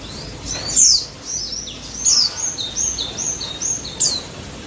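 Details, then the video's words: White-eye in full energetic song, used as a lure to make silent white-eyes sing: high, thin, down-slurred whistled notes in short separate bursts, several a second, with a soft hiss of background noise. "BURUNG PLECI DAPUT GACOR NGALAS NEMBAK"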